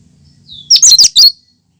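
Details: Cucak kinoi giving its pure natural song, used as a lure and prompt for other birds: a faint rising whistle leads into four fast, loud, high chattering notes.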